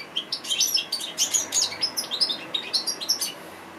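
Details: Goldfinch song for bird training, a continuous fast stream of bright, high chirps and tinkling twitters, pulsing several notes per second before easing off near the end.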